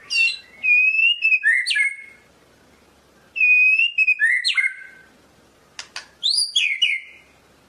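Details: White-rumped shama of the Medan type sings two loud phrases of clear, sliding whistles, steady then dropping, each followed by a short twitter, with a sharp click and a rising flourish near the end.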